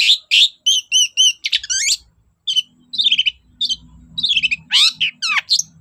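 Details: Lure song of a Long-tailed shrike, meant to provoke silent shrikes into singing: repeated arched whistles, then steep descending slurs and scratchy phrases over a steady low hum.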